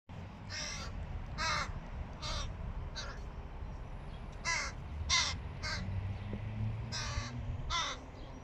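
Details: A hooded crow fledgling, chatty while trying to feed itself, gives harsh raspy caws about once a second, ten calls in all, some doubled, over a low rumbling background.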